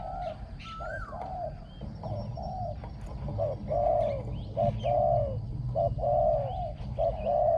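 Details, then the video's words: Spotted dove used as a ground decoy, described as having a small, resonant voice with good phrasing and backing coos. A long run of husky, repeated coos about once a second, with faint whistles from other birds and low rumble. "ต่อนกเขาใหญ่ | เสียงเล็กก้อง คารม หนุนคู คูดีมาก"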